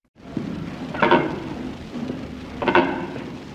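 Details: A Secretarybird off the side of a trail in sub-Saharan Africa gives two deep, hoarse croaks about a second and a half apart, over a steady background hiss.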